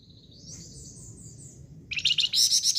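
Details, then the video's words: Flamboyan bird singing vigorously. A thin, high, wavering whistle slides along for over a second, then gives way to a loud burst of rapid, harsh chirping trills. "BURUNG FLAMBOYAN GACOR"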